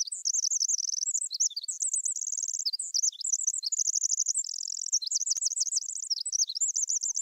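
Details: Pacific Wren of the western United States singing: a long, rapid, improvised-sounding cascade of high tinkling trills and buzzy notes.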